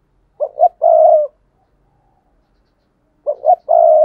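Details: Two spotted dove coo phrases, used as a lure for wild doves, roughly three seconds apart; each has two clipped low hoots and then a longer steady coo.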